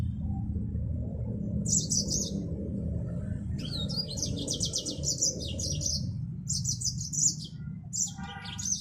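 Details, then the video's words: Repeated twittering song phrases of a Mozambique finch (yellow-fronted canary), high and rapidly trilled, coming in bursts of about a second over a constant low hum. "Burung Finch Mozambik Afrika"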